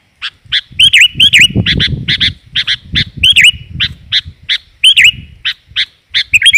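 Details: Sooty-headed bulbul female calling to lure males: quick chips mixed with twisting, gurgled notes in an irregular rhythm over a low background rumble.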